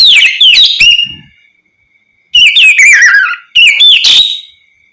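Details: Kacer, the Oriental magpie-robin, giving 'ngeplong' song meant to make other magpie-robins reply: rich, clear whistles and rapid falling slurs in three loud bursts with brief gaps between them.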